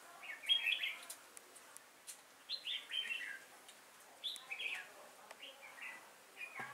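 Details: Red-whiskered bulbul used as a trapping decoy on 5 October 2018, singing to lure wild bulbuls. Three bursts of bright, warbled, chattering phrases arrive about every two seconds, each a quick run of rising and falling notes. A soft hiss sits underneath.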